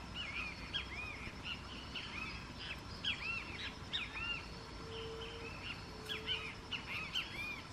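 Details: A flock of plush-crested jays (Cyanocorax chrysops) feeding in Arapongas, Paraná, Brazil keeps up a chatter of short, arched whistles and bent, ringing notes, several birds calling over one another against a steady background hiss.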